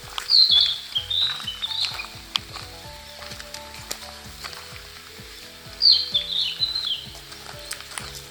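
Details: Narcissus Flycatcher singing in early May around Abashiri, Hokkaido, slowed for listening: two separate high, fluttering whistled phrases with a pause between them, over continuous background music with a steady low beat.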